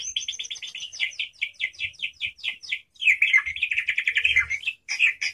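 A white-rumped shama sings a fast, loud run of rich, varied whistled and chattering phrases.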